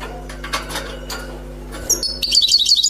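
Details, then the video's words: Newly caught wild European goldfinch singing: after a second of faint clicks and rustling, a bright, high tinkling twitter of quick liquid notes runs through the final second, over a steady low electrical hum. "غناء حسون بري صيد جديد"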